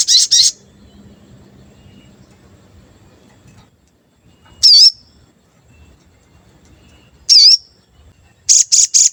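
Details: Sooty-headed bulbul, a lure recording meant to make other bulbuls sing and get excited, with described 'cuit cuit' notes: a high buzzy burst, then two sharp wavering chirps spaced seconds apart, ending in three quick high notes over faint low rumble.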